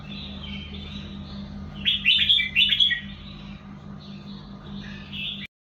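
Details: Red-whiskered bulbul delivering one busy chattering, whistled phrase, then softer trailing notes, over a continuous low electrical hum.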